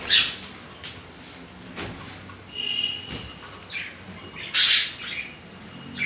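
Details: Budgerigars mating, a pair in courtship; sharp scratchy squawks and chirps separated by quieter pauses, with one loud harsh burst near the end and a short whistled note mid-clip.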